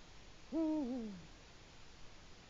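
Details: Eurasian eagle-owl calling at dusk in early autumn while preparing the nest bowl: one deep, resonant hoot that holds steady and then slides downward, ending with a short dip.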